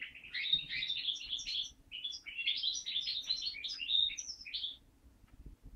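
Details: Hybrid linnet × Waterslager canary mule, home-bred in 2012, sings a lively run of chirps, buzzy trills and high whistled notes lasting about five seconds before falling quiet.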